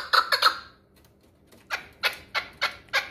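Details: Hunting chukar partridge from the Pamir: three quick harsh clucking notes, a pause, then five louder chuck notes spaced about a third of a second apart.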